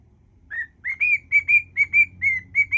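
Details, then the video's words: Pet cockatiel whistling a mash-up of songs: a run of clear whistled notes near the same pitch, each slightly rising then level, about three per second, over a faint low hum. "whistling cockatiel"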